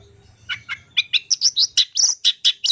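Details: Long-tailed shrike lure call for prompting kept birds to sing: after a quiet start, a steady string of about a dozen sharp, high chirping notes, evenly spaced and growing more piercing toward the end.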